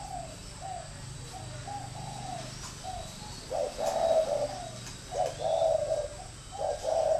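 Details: Decoy spotted dove: soft faint coos at first, then louder two-part phrases of a short note and a longer mellow coo, repeated every second or so.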